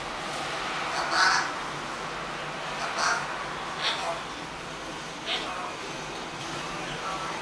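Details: Papa, a 12-month-old eclectus parrot, talks, saying his name, and whistles: a few short, raspy, speech-like phrases spaced one to two seconds apart over a steady low background hiss.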